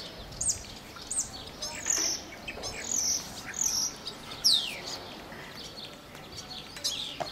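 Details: Spotless starling (Sturnus unicolor) singing in April at Mazagón, Spain: a loose run of high whistles, sharp clicks and descending slurred notes, roughly one phrase a second, over faint hiss.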